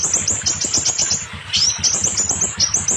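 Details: Scarlet minivet giving a fast string of high, thin, upslurred notes, then a slightly lower swooping note and more quick high notes, meant to make silent or molting birds sing; soft low thumping beneath.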